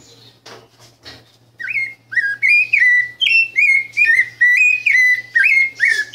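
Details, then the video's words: Rufous-bellied thrush singing, a bird described as remarkable: after a quiet start, a steady series of loud clear whistled phrases near mid pitch, each slurred or rising with bright overtones, repeating about twice per second; faint low hum beneath. "sabiá branca canto 38!"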